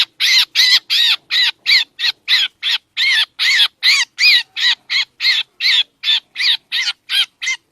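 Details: Trapping lure recording of a black drongo: a long, fast series of rasping, arched notes, nearly three per second, even in loudness and spacing, over a quiet background.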